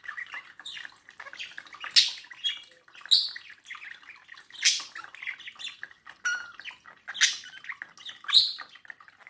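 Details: Pet budgerigar chattering to its mirror image: lively warble of twitters and clicks punctuated by loud harsh chirps roughly every second or so.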